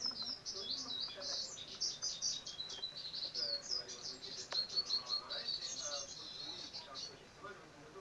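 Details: Great tit nesting inside a horizontal-bar pipe: dense, high, thin twittering chirps run almost without pause, many overlapping notes rising and falling in quick bursts; faint low background murmur.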